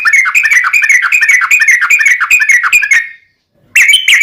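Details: Yellow-vented bulbul in 'ropelan tembus-tembus' style with 'ngelituk' fills, played to train kept birds. A fast, bright, chattering run of notes stops abruptly, then the song resumes after a short silence.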